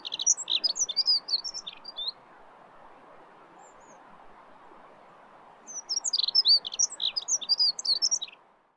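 Two bursts of quick, high, jangling warble from a Dunnock, each about two seconds long. A steady low hiss runs underneath.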